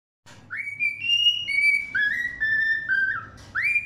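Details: A cockatiel sings in the morning, waking everyone, with a clear, whistled phrase of sliding notes that rise, hold, then step downward; Cockatiel.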